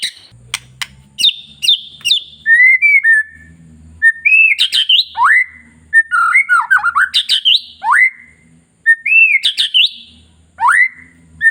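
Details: Long-tailed white-rumped shama in captivity, its song played to stimulate other shamas: a long run of varied loud whistles, slurred upward and downward notes and clicks, with a faint low hum underneath.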